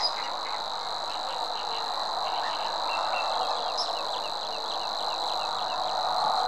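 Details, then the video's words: Reeling song of a Savi's warbler, a sustained dry buzz without pause. Behind it a thick background hiss and a series of short, repeated chirps from other birds. "Nádi tücsökmadár"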